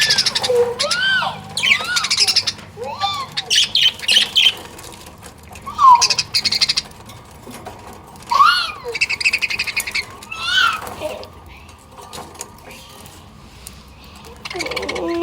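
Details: Hungry budgerigars fight over food, squabbling with harsh squawks and warbled, rising chirps in quick bursts.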